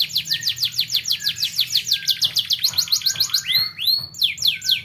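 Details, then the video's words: Young canary in full song, played to coax other canaries into learning to sing: rapid repeated downward-sweeping notes forming a rolling trill, broken by a few looping, arched whistles near the end. "BUAT KENARI PAUD LEBIH RAJIN BUNYI"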